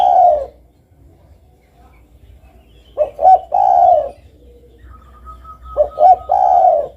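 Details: Spotted dove cooing: the tail of one phrase, then two complete phrases of two short notes and a long mellow coo, with a faint steady higher tone between the phrases.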